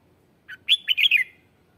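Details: Red-whiskered bulbul lure song meant to call wild birds: one short burst of clear whistled notes, a brief opening note then a quick run of rising and falling slurs near the top of the range, in quiet surroundings.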